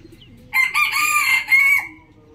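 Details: Rooster crowing in the morning: one loud, harmonic cock-a-doodle-doo of about one and a half seconds, with a brief dip in the middle and a drawn-out, slightly falling last note, against a quiet low background hum.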